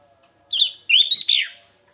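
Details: Sooty-headed bulbul with a varied lure song. A brief whistled note is followed by a fast, bubbling run of warbled notes that climbs and then slides down. The background is quiet.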